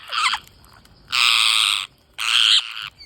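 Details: Green parrots during feeding utter loud, grating screeches: one short note, then two drawn-out harsh calls of under a second each, separated by brief silence.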